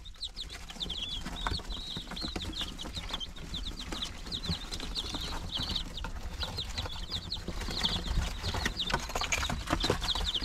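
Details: Chicken chicks nine days old, many birds peeping together: rapid, shrill, slightly downward peeps tumbling over one another almost continuously, with a low background hum and occasional scuffling.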